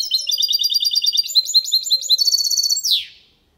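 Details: Clean song of a goldfinch × canary hybrid ('copia malaga'), used to stimulate hens and tutor young goldfinches; rapid high twitter and a brief buzzy trill, ending in a downward sweep and then silence.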